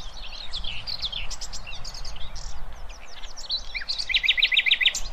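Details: Song of a nightingale meant for teaching young goldfinches and hybrids: dense, varied high chirps and slurred whistles, ending in a crisp run of six or seven repeated sharp notes.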